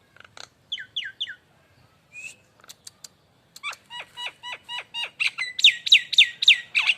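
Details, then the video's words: Nias hill myna lure song: scattered clicks and short whistles open a quiet stretch, then a fast accelerating series of bright, downward-slurred notes grows louder and harsher toward the end. "suara Pancingan burung jalak Nias"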